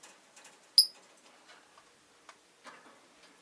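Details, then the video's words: Rosy-faced lovebird giving a single sharp, high chirp with a bright overtone, surrounded by soft clicks and light ticking in a quiet room. "Lovebird Chirping Sounds"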